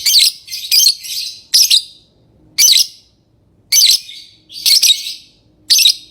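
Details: Shrill, rasping lovebird chirps come in irregular bursts about once a second, some doubled, with brief quiet gaps between them.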